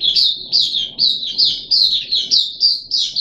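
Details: Caged puff-backed bulbul on day three of deworming, 14 July 2021, repeating a clear, slurred high chirp roughly twice a second in an even series, faint indoor hum underneath.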